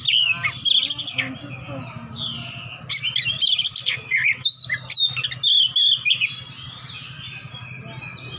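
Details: Oriental magpie-robin, a fighter male looking for an opponent, singing ngeplong: long energetic sequence of loud, sharp whistles, buzzy trills and quick slurs in repeated bursts, then quieter notes, with a constant low hum.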